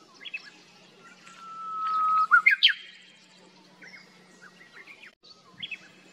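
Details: Japanese bush warbler (Horornis diphone) singing in backlight at about 1800 m altitude on a plateau in summer: a long, steady whistle swelling in volume, then a quick, emphatic flourish of sharp notes; other birds chirp faintly.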